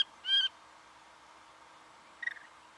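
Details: In Victoria, Australia, in November 2011, a singing honeyeater gives one loud, clear, ringing note, then a softer, shorter burst about two seconds later. Otherwise the background is quiet.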